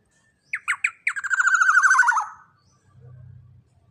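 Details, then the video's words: Jumbo-sized black-naped oriole, loud-voiced, utters several sharp nasal notes then a buzzy, quickly pulsed descending rattle of about a second, followed by a brief low hum. "Pancingan Burung KEPODANG EMAS Body JUMBO BESAR Suara LANTANG"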